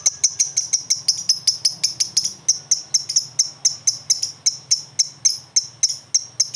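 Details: Caged lovebird, a promising young bird, joining in to answer another lovebird: sharp, high, metallic chips repeated steadily about three or four times a second in an even series, with a faint low hum underneath.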